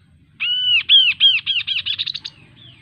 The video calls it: Suara Burung Kaso Kaso | Ocehan Burung Kaso Kaso | Kaso Kaso Bird Sound